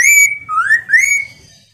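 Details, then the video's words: Chinese hwamei whistling to spur other hwameis to sing back: three loud, pure whistles, a level one and then two rising slurs, fading out softly. "Suara Khas Poksay Mandarin agar Poksay Nyaut dan Gacor"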